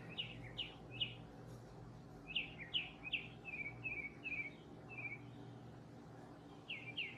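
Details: Gray catbird imitating mockingbird-style singing: a varied string of short, slurred, squeaky notes, some rising and some falling, delivered in loose groups with a low background hum.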